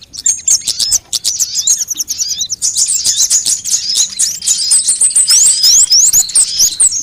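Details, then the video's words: ['Sunbirds of many kinds, used as a lure to make birds sing: sharp clicking ticks open into a growing stream of thin high twitters, ending with bright, sweeping upslurred whistles.'] "suara pikat semua jenis burung kolibri"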